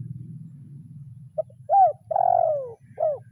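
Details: Spotted dove calling to a rival in 'kuk 0-1' lure style. A low hum gives way to one phrase: a faint short note, a hooked coo, a long sliding-down coo and a brief final coo.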